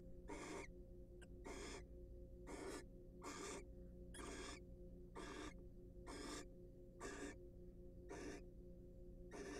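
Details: Courting wild barn owls in a nest box give a long run of harsh, hissing rasps, eleven bursts at a steady pace of roughly one per second, with one brief click early on and a low hum throughout.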